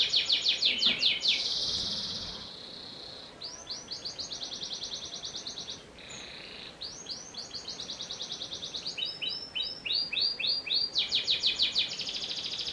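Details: Panda canary in full song, alternating quick stacked trills with steady held tones, brief pauses between phrases, then crisp repeated falling notes and a fast rolling trill.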